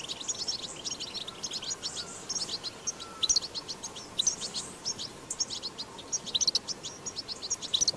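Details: Wild goldfinch 'batbata' song, recorded outdoors and used to prompt goldfinches to sing; lively high twittering with rapid chirps and occasional sharp upward notes over a faint hiss.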